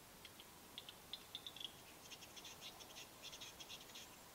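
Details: Western capercaillie displaying at a spring lek in East Lapland, Finland, 2022: rapid dry clicking and scraping bursts, high-pitched and irregular, in a quiet forest.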